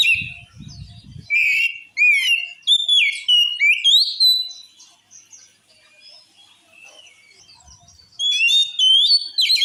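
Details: Oriental magpie-robin song meant to provoke other magpie-robins to fury: a rapid series of loud, varied whistles, upslurs and sharp chips over several seconds, a quieter pause, then another lively burst.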